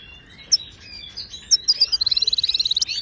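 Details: Wild Moroccan goldfinch singing Widani style, a model song for caged birds: thin slurred whistles and sharp chirps build into a fast, evenly pulsed trill of about fifteen notes at the end.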